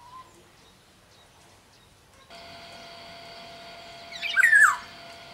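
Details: Sumbawa black-naped oriole, a cage songbird: one short harsh, slurred call near the end, heard over a steady electric hum that starts partway through.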